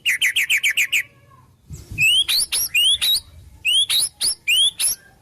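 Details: Singing White-rumped shama, its song filled with wild-bird phrases: a quick burst of seven identical chirps, then a series of clear rising whistled notes repeated in small groups.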